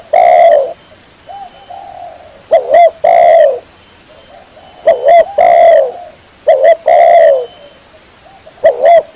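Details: Spotted dove lure call, described as a female calling to attract males for mating: loud, repeated low coos in rhythmic phrases, each a pair of short notes followed by a longer drawn-out coo, with brief pauses between phrases.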